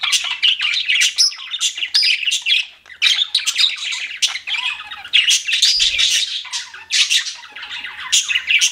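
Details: Pet budgies chirping indoors, a dense stream of rapid buzzy warbles, squawks and short chirps packed between 1 and 8 kilohertz with barely a pause.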